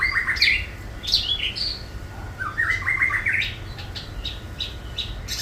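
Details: Caged long-tailed shrike giving mimicked song: bursts of bright chirping notes, a run of quick stepped whistles in the middle, then scattered high clicks.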